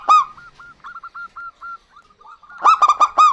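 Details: Local zebra dove pair, female and male, calling back and forth. A single loud note is followed by a chain of short soft coos, then a closing volley of four quick, ringing notes.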